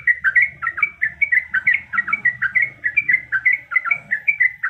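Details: Yellow-vented bulbul female, in breeding condition, calling a male: paired bubbly notes in a quick, regular rhythm, about four per second, over a faint low murmur.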